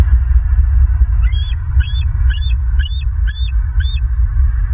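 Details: Southwest Florida bald eagle recorded on 27 May 2023: six sharp, high chittering notes in quick, even succession against a heavy low rumbling background.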